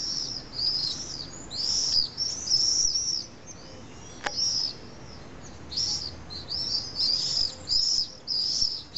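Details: Common swifts at a nesting colony of about twenty pairs in the drainage holes of a large retaining wall on a hill in Nice, France, on a July evening; shrill high screaming bursts repeated in clusters, with a single click midway.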